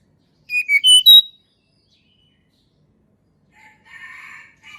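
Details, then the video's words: Sunda robin song recorded in nature, used to prompt lazy birds to sing: four clear whistled notes rising in steps, then a pause and a softer, lower rasping chatter. "TLEDEKAN GUNUNG SUARA ASLI ALAM"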